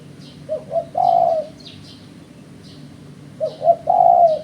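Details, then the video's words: Spotted dove calling for use as a trappers' lure, two phrases about three seconds apart, each with two quick short coos then a drawn-out mellow coo; thin high chirps from other birds between phrases. "Suara Burung Terkuku"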